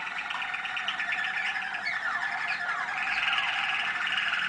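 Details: Young Waterslager canaries of the 2010 hatch at a listening session on 25 November 2010, kept birds singing; continuous warbling with bubbling rolled trills and descending glides, then a steadier trilled passage.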